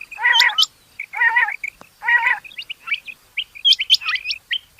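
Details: Rain quail calling: broad, buzzy, harmonic bursts repeated three times, then a run of sharp, high, metallic notes in quick pairs and triplets.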